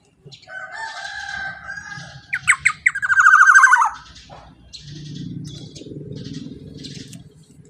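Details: Black-naped oriole (kepodang) in loud, energetic song used as a lure for other orioles: a steady whistled note, then a burst of rapid, nasal, buzzy notes that rise and quicken before stopping, with soft low rumbling behind.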